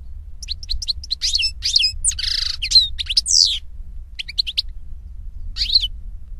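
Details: European goldfinch (Carduelis carduelis) singing in nature, delivering lively high twitters mixed with a nasal buzzy rattle and a falling wheezy slur, with brief pauses between phrases and a soft low background rumble.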